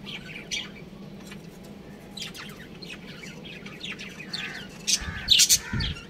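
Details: Pet budgerigars of a breeding pair chirping: soft scattered chirps at first, then a burst of loud, sharp, high chirps in the last second, with a low thump and steady background hum.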